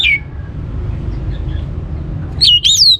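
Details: Orange-headed thrush singing as a lure to get other birds singing: one loud slurred whistle at the start, quiet hum in between, then a bright looping whistled phrase that climbs and drops at the end.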